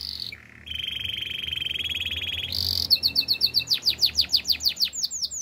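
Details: Canary song opening with a brief high note and a long even rattling trill, a louder high buzz, then rapid repeated descending whistled notes that steadily speed along.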